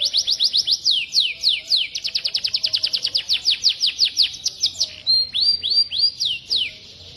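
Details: Songbird used as a training model, tagged cucak jenggot, cililin and kenari; fast series of loud whistled notes sweeping downward, repeated several per second, then a pause and a few slower, longer down-slurred whistles.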